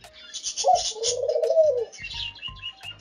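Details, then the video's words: A dove gives a low, soft, drawn-out coo lasting about a second, with faint higher chirps of small birds and some background noise. "Dove Bird calls and sounds"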